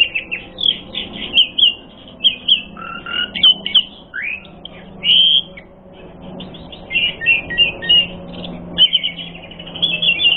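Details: Asian pied starling in full, richly varied training song, played as a lure to provoke fighting: a fast run of whistled, chattering and slurred notes, some rising and falling, in bursts with short pauses, clear and without other sounds.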